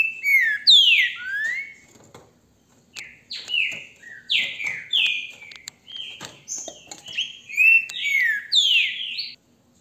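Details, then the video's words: Captive-bred Green-winged Saltator, recorded on a phone held in hand, sings loud, rich whistled phrases slurred up and down, in quick varied bursts with brief pauses between them. "trinca ferro canto lindo"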